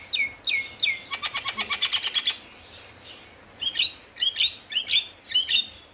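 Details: Singing male Javan myna, used to coax reluctant birds into song: a few sharp whistled notes, a fast even run of about ten clicking chips, a pause, then a series of squeaky whistled phrases repeated roughly every half second.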